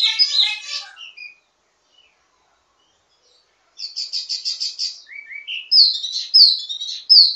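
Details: Wambi mini singing a ledekan (teasing) song with many variations, used to train other birds of its kind: a burst of buzzy high trills, a pause of nearly three seconds, then rapid chattering notes and rising whistled phrases.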